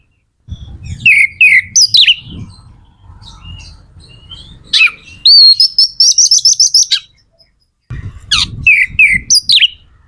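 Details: Singing magpie-robin (kacer), played to spur other birds into song: bursts of sweet warbled whistles, a rapid series of repeated high notes in the middle, then more sweeping phrases, with soft low rumbling underneath.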